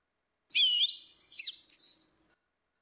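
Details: Female and male orange-headed thrushes singing in the loud, open ngeplong style, used as a lure for silent birds: one high clear whistled phrase that rises, dips, then ends in sharp upward slurs.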